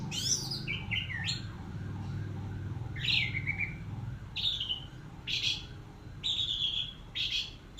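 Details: Orange-headed thrush (anis merah) singing in the teler style for a long tutor recording: bright chirps and short rising notes high in pitch, with a steady low hum and a man's brief praise beforehand.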